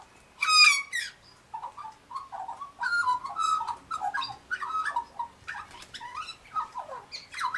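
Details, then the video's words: Australian magpie singing near pink galahs: rich warbled phrases of rising and falling notes with fluting whistles, delivered in quick succession, interrupted by loud harsh broadband bursts at the start and end. "Australian Magpie Warbles"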